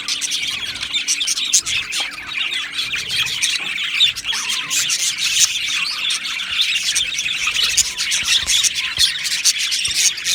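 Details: Many budgerigars in an aviary chirping together, a steady bright wash of overlapping warbles and short high calls lasting throughout.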